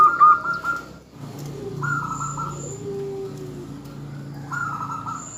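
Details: Calling female zebra dove, intended to make a male answer with song: a loud pulsed burst at the start, then two more rippling coos, over a low hum and soft high whistles.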